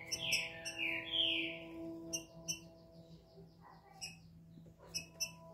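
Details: Captive green-winged saltator singing a smooth "canto liso" song: a few loud, rich whistled notes, then sharp scattered chirps over a steady low humming tone.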